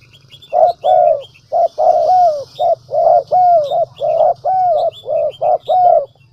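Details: Dove lure call used to prompt wild doves to coo: loud continuous stream of clipped and drawn-out falling coos in quick pairs, with high chirps and a low hum underneath.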